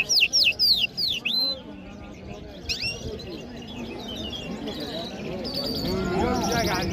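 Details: Iranian Mashhadi jal bird singing in Kabul: a quick run of four loud, high whistled notes, each sweeping down and then up, followed by fainter chirps over steady background murmur and voices.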